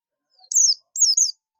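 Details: Buxtomi Oriental white-eye calling companions (ngalas): two quick high whistled calls, each a thin note sliding downward, in an otherwise quiet moment.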